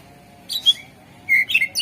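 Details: Greater green leafbird singing as a lure for other birds: two brief chirps followed by a clear steady whistle and quick bright trailing notes.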